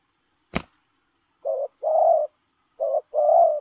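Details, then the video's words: Spotted dove cooing in the lèo rồng style while running: a sharp click, then two paired coos, each a short low note followed by a longer sustained hooting note, in a quiet setting. "Gù Lèo rồng vừa chạy vừa gù"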